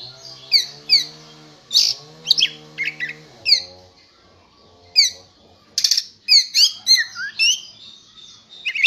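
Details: Oriental magpie-robin, prepared for contest, giving spaced, bright chirps and whistled slurs with a pause midway. A steady low hum runs beneath the song.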